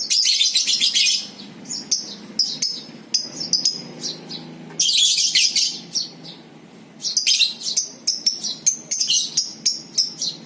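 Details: Long shrill chattering of a lovebird in ngekek style, meant as a pancingan lure for other lovebirds; rapid high squeaks and trills in several dense runs separated by short lulls.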